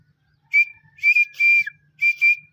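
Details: Young black francolin of a fine strain calling for the first time; short high whistled notes with a rasping upper edge, given in pairs and singles, one note sliding downward, separated by brief silences.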